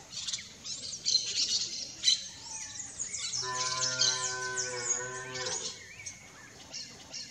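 Yellow-faced parrots give harsh, high, scratchy squawks and chatter throughout. A low, drawn-out moo, probably from cattle, sounds in the middle.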